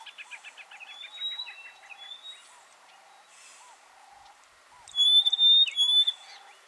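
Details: Rosy-patched bushshrike (Rhodophoneus cruentus) calling and duetting in Buffalo Springs National Park, Samburu, Kenya: a steady run of low, hollow notes, about two a second, overlaid by sharp high whistles swelling loudest near the end.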